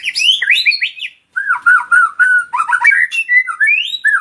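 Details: Male white-rumped shama (sahdu) in full song, fast rising whistles and sharp chattering notes, then a short pause followed by rapid warbled phrases with buzzy and squeaky elements.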